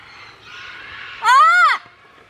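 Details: Loud, harsh, arching squawk lasting about half a second from a rescued parrot at a bird sanctuary, preceded by a soft hiss-like background murmur.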